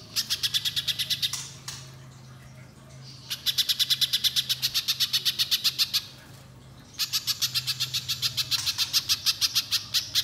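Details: Spiderhunter singing long bursts, played to get young spiderhunters singing: three extended volleys of fast, regular, high chip notes, each lasting several seconds, with short quiet breaks and a low hum beneath.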